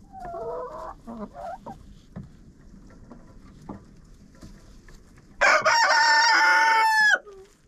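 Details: Chicken coop interior recorded with a GoPro: a few short, wavering hen calls and clucks, then a loud rooster crow of about 1.5 seconds with a falling tail at the end.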